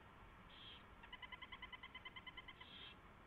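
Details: Owl at a nest at 4:21 AM on 24 February 2016, a mouse being delivered and fed: a rapid run of about eighteen ticking, twittering notes, bracketed by two brief raspy hisses, with low background hum.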